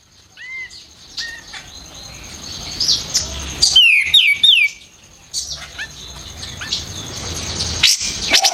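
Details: White-eared bulbul singing for use in songbird training: curving whistles, then a quick cluster of loud sharp descending notes, with further short whistles amid continuous hiss.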